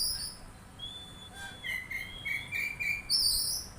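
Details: Oriental magpie-robin answering with a run of pure whistled notes, first high and level, then lower notes repeated about four times a second, ending in a high bright burst.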